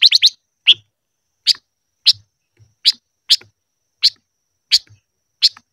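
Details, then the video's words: Silver-eared mesia in voice training, giving short sharp chip notes: a fast triple burst, then single chips roughly every half second to second, in a quiet setting. "Chim ngũ sắc hót hay luyện giọng - ngũ sắc hót ché"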